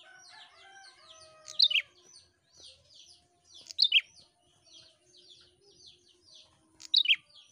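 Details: Continuously singing prinia, used to make other prinias sing. Loud doubled notes ring out near one and a half, four and seven seconds, with steady high twittering between them and faint low tones early on.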